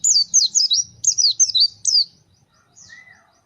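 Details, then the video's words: Pleci white-eye, a gacor fighter bird, shooting: quick high zigzag whistles in tight clusters for two seconds, then a short faint whistle. "The sound of the Gacor fighter pleci bird shooting"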